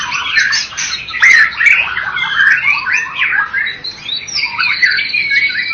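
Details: First-place contest white-rumped shama, Medan and Java types, singing a tumbling mix of squeaky, harsh and whistled notes, loud and varied, swelling and easing in waves.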